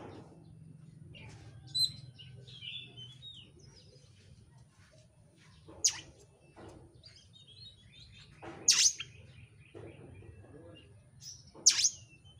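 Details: Oriental magpie-robin singing in a rapid, packed, aggressive style to goad another bird to sing. Scattered high whistles and brief warbles, broken by three loud, sharp, piercing notes, against a constant low hum.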